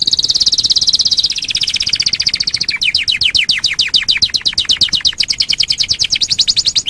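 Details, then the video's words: Canary song recorded as a master track for training other birds: a long high tremolo, then fast, evenly repeated downward-sweeping chips that speed into a rolling trill through the final seconds. "Masteran Suara Kenari"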